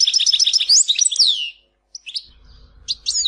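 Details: Tizi Ouzou European goldfinch: a fast sequence of high twittering notes ending in a long downward slur, a brief silence, then a few scattered sharp chirps over low background noise.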